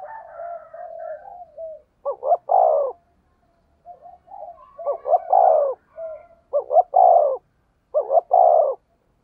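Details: A spotted dove in the thunder-toned 'thổ sấm' style, used as a lure to stimulate other doves, repeats deep stuttering coo phrases about four times. Softer wavering whistles come before and between the phrases.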